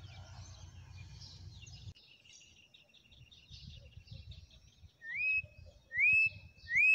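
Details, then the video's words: Wild campo troupial singing loud, clear, beautiful whistled notes in the last two seconds, each a rich slurred phrase, over faint high twittering from other small birds. "CORRUPIÃO CANTO SELVAGEM,ESSE CANTA LINDO"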